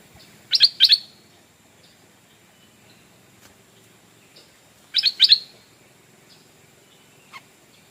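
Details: Stripe-throated Bulbul kept as a decoy, calling to lure wild birds: two loud bursts, each a rapid pair of harsh, bright chirps, separated by about four seconds of near quiet with one faint later note.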